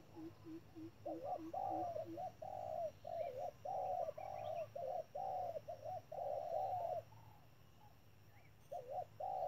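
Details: Spotted dove used as trap decoy; a quick series of soft low hoots opens, then a long stream of cooing notes, short bent and long flat, before a pause and resumed coos.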